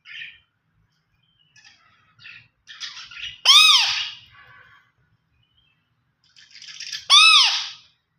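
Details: Green ringneck parakeet in talking mode: soft scattered chatter broken by two loud, harsh, arched screeches a few seconds apart.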